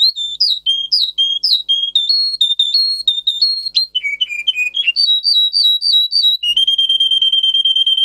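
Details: Russian singer canary in a recording for training canaries to sing: a lively string of varied whistled notes, a quick low rolling trill, a higher fast run, and a long level whistle to finish.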